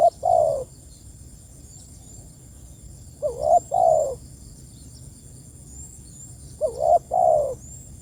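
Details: Calling to its companions, a spotted dove repeats a mellow cooing phrase three times roughly every three seconds, each a quick wavering opening note and a longer falling coo.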